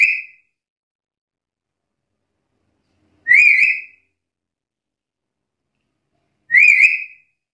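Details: Vocal black-capped lory challenging rivals, giving shrill, slightly wavering whistled notes about three seconds apart, three heard, with silence between.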